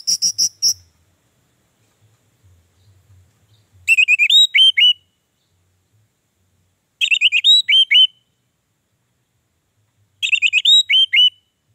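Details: Orange-headed thrush, a recording meant to prompt sluggish caged birds into song: brief bursts of sharp, twisting whistled notes repeat about every three seconds, separated by silence. A few soft, low sounds come early on.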